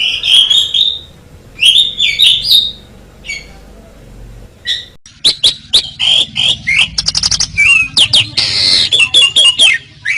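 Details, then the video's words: Asian pied starling in a masteran recording: whistled and squeaky phrases at first, then a dense stretch of sharp clicks, rattles and harsh notes mixed with short whistles. "Ocehan Suara Burung Jalak Suren"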